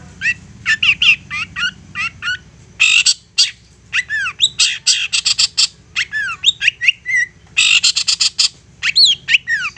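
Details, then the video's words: Long-tailed shrike in a relentless provoking song: dense volleys of harsh rasps mixed with looping whistled slurs and rapid chips, almost continuous for ten seconds. "Apapun Cendet nya AKAN LANGSUNG MERESPON dan NYAUT lanjut GACOR dengan pancingan Cendet ngotot ini"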